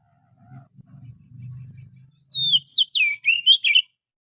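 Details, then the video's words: Wild forest Oriental magpie-robin song used as a lure. Low muffled rumbling comes first, then a burst of about six clear, loud whistled notes, some sliding down and some wavering, over roughly one and a half seconds. "suara pikat burung Kacer asli hutan,suara pancingan kacer"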